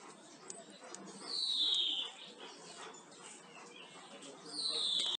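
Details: European greenfinch song used to tutor captive birds: two clear, drawn-out whistled notes that slide downward, the first at about one and a half seconds and the second near the end, over a quiet, faintly hissing background.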